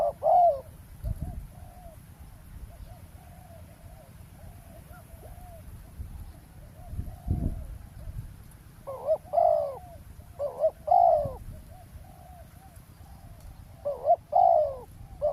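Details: Spotted dove during roadside ground trapping, luring wild birds; scattered mellow coos at the start and clustered later, with fainter coos between and a few low thumps.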